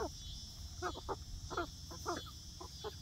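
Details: Young laying hens settling into a new outdoor backyard coop run, uttering quick stacked chirps and clucks in small bursts about twice a second, with a faint steady high hiss behind.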